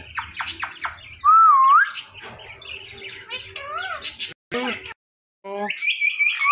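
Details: Pet rose-ringed parakeet talking, with the word "mitthu" repeated around it. A jumble of harsh chattering squawks, a loud wavering whistle and speech-like syllables, broken by a short silence, then a high drawn-out tone.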